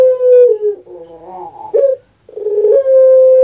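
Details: Kept puter pelung dove, a bird popular in Java, Indonesia, giving a long drawn-out coo: a steady held tone, then a wavering rough middle, a brief pause, and another long even note.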